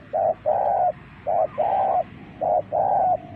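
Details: Spotted dove used as a lure: three low coo phrases, each a short note then a longer rolling croon, over a steady background hiss and rumble.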